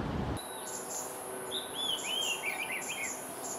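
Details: Oriental magpie-robin in Singapore singing its own individual tune: a rapid run of varied short whistled notes, some slurred and warbling, over a steady high insect drone and faint repeated chirps.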